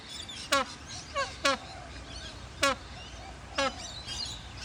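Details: Native Australian bird giving harsh, downward-sliding raspy calls, four loud ones and one softer, spaced roughly a second apart, against a constant hiss of background noise.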